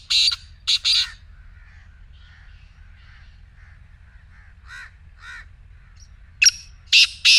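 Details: Black francolin voice meant to set off a silent partridge: the end of a harsh phrase, a pause with soft, low background notes from another bird, then a new grating sequence of rasping notes.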